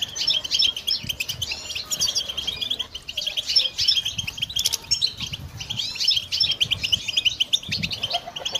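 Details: European goldfinch song, offered for listening and for training birds: rapid, continuous tinkling twitters and chirps delivered in dense, overlapping bursts, with fine trilled and slightly buzzy notes and short gaps; soft low rumbling beneath.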